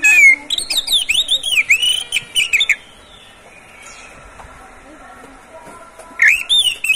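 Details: Oriental magpie-robin kept caged by its owner, singing as a tutor recording for other birds; rapid looping whistled phrases sliding up and down for about three seconds, a quiet pause, then the varied whistles resume.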